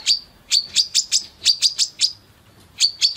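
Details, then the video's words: A singing female Brown-throated Sunbird gives high, sharp chirps in short clusters of two to four, separated by brief silences, in a clean recording without other sounds. "SUARA MASTERAN KOLIBRI KELAPA BETINA GACOR BUKA PARUH FULL TEMBAKAN"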